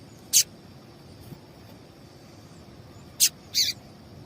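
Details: Female double-collared seedeater calling, a call said to prompt males to sing: three short, sharp, high chirps, one isolated early and a close pair near the end, over a faint steady high-pitched tone and quiet background hiss.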